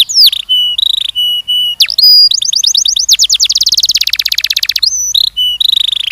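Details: Canary song in a mating-training session for young males and females: sustained pure whistles and a sharp dip, then very fast rolling trills and a buzzy rattle, closing with clear whistles.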